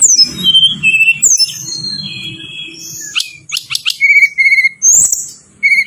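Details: Striated prinia song used as a lure and master recording to prompt other birds to sing: high, thin whistled notes sliding downward, a few sharp rapid bursts, then short steady whistles, with a faint low hum beneath.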